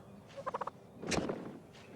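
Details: An eastern wild turkey gives a quick run of four clipped, throaty notes, then a pulmonic puff, a short, breathy whoosh of expelled air heard only a few feet away, used to locate mates.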